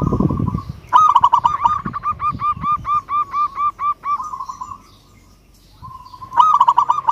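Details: Local zebra dove calling hard at a rival, agitated: a held tone breaks into a run of about twelve punchy repeated notes, a pause, then the sequence starts again. Soft rustling at the start.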